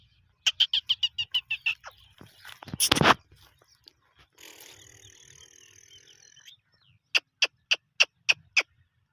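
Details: Black francolin (Francolinus francolinus), call.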